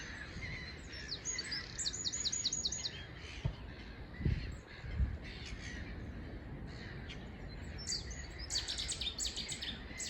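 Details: On a sunny spring morning at a nature reserve, a Eurasian wren sings fast, high, ringing trills in quick runs, then a Cetti's warbler bursts in with a loud, explosive volley, over low wind rumble and a few thumps.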